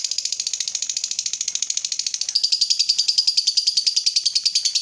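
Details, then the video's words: Fighter lovebird singing long ngekek, its prized extended chatter used as a lure for other lovebirds: a nonstop fast, buzzy rattle of high pulses, about ten per second, unbroken for the full five seconds, slightly shifting tone midway. "PANCINGAN SUARA BURUNG LOVEBIRD UNTUK MERANGSANG LB APAPUN CEPAT NGEKEK"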